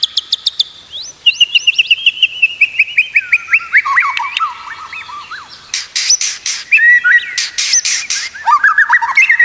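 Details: Song of the white-rumped shama, used to coach caged birds: a burst of sharp clicks, then a long descending run of quick repeated notes, followed by loud rattling bursts and lively whistled flourishes.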